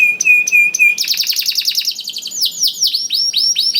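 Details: Caged canary singing a lively lure song meant to get quiet canaries singing: short repeated whistled notes, then a rapid buzzy trill sliding into a run of downward-sweeping chirps repeated several times a second.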